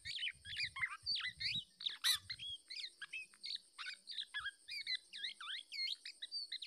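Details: Black-naped oriole parent protecting its young from an attacking male bird that tries to take the chick; quick, varied, high chirps and short slurred whistles follow one another continuously, fairly faint, with a faint low rumble early on.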